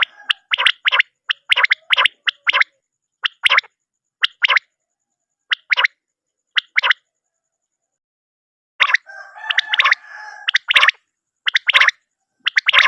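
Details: Common quail (batair) call used for night quail hunting/netting, given in quick clusters of sharp, clipped notes, roughly one a second, with a short pause and a brief stretch of rough background noise.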